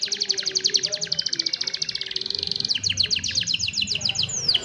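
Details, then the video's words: Young domestic canaries sing, meant as a tutor for lazier canaries; cellphone recording. Very rapid, even trill of sharp high notes, followed by a second run of falling chirps at a slightly different pace. "Young Canaries Sing for Your Lazy Canaries | Canary Singing"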